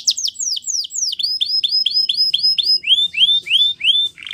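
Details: Spanish Timbrado canary song made of repeated notes: quick falling sweeps give way to a steady series of rising whistled syllables, evenly spaced, ending in longer upswept notes.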